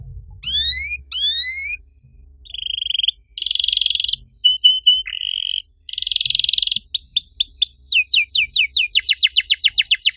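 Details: Canary master song intended to get silent canaries singing: two long descending whistled slurs, buzzy rolls and short clipped notes, a flat whistle, then rising loops leading into a fast series of repeated downslurred notes.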